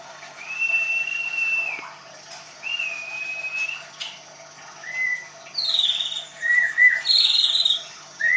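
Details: Caged Leuser white-rumped shama at a Tangerang bird school in Indonesia giving long, pure, level whistles. These are followed by short slurred notes and then high, bright flourishes that grow louder toward the end.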